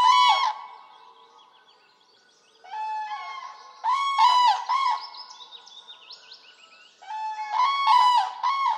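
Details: Repeated loud, rattling trumpet calls of a common crane in Poland, in several bursts separated by quieter gaps filled with high twittering of small birds.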